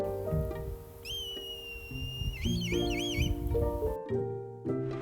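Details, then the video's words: Red kite call, a much longer whistle than the black kite's: a long, high, steady whistle lasting over a second, then a run of wavering, quavering notes; plucked background music plays throughout. "Le Milan royal lui a un cri légèrement différent. C'est un sifflement bien plus long [musique] que celui du Milan noir."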